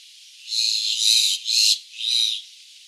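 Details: Jungle myna at Abshar Point, Malam Jabba, mingling with redstarts and bushchats, gives four harsh, rasping, high-pitched notes in quick succession over about two seconds.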